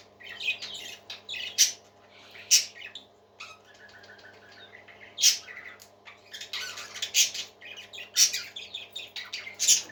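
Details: Pet parakeets sing in a room, a long run of rapid chirps, ticking notes and warbles with loud harsh squawks scattered throughout, some quieter patches between bursts, and a faint background hum.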